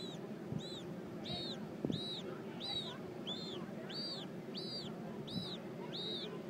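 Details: Magellanic penguin chick begging while its mother feeds it at a zoo exhibit in San Francisco; high arched squeaky peeps repeat roughly once a second over a steady low rumbling background.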